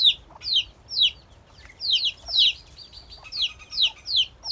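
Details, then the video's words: Baby chicks of a domestic hen chirp steadily, each peep a high note falling sharply in pitch, repeated in quick succession with a few flatter whistled tones mixed in over light background noise. "lovely hen baby chick /chicks chirping sound /murgi baby /chicks sound /hen baby sound"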